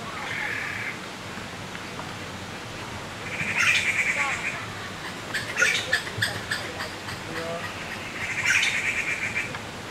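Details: Grown Taiwan blue magpie chicks at Qianshan Park, Yangmingshan, Taipei, beg for food while parents forage, in June 2012. They give harsh, buzzy, hissing begging calls in bursts about every four seconds, with sharp clicks and chattering between.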